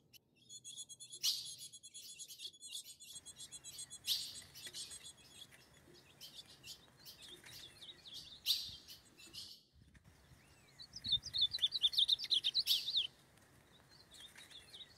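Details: Free-living ultramarine grosbeak in the forest alongside a female, heard among noisy chattering bursts, ending in a loud fast warbled phrase of slurred whistles that briefly swells before fading to quiet background.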